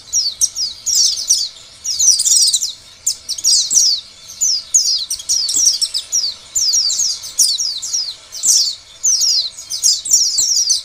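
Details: Oriental white-eye singing as a lure for other white-eyes; long, lively sequences of piercing high chirps in rapid bursts about every second, tumbling down in pitch, with short pauses between phrases.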